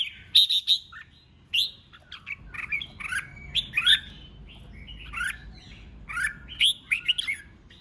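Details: Male red-whiskered bulbul delivering competitive ché chét song to stir newly caught birds; a steady stream of loud warbled chirps and slurred notes, some harsher and squawk-like, with a low rumble in the background.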